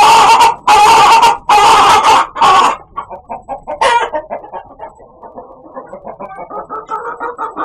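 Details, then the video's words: Chicken giving what is described as a very weird, funny sound: about three seconds of loud, harsh, broad squawking bursts, then a quicker run of softer, pulsed clucking notes repeated more than once a second. "Funny Chicken Sound"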